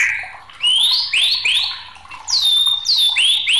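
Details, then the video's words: A white-rumped shama, singing agitatedly, gives ringing upslurred whistles, each rising steeply and repeated roughly every half second, with one long, pure, level whistle in the middle of the run. "SUARA MURAI BATU NG4MUKK..MUNT4H ISIAN BRO.!!"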